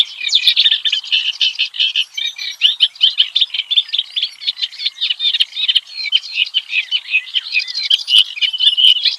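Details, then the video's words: Kerak basi, the clamorous reed warbler, singing in the wild: nine seconds of rapid, unbroken chatter, harsh grating notes alternating with clear whistles and trills. "Varian Ocehan KERAK BASI di ALAM LIAR"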